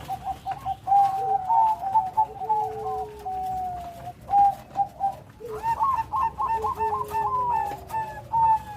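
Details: Bangkok-type zebra dove with a strong voice and complete rhythm: a long, soft, rolling coo run with a lower sustained note, a brief break, then a louder, quicker trilled series.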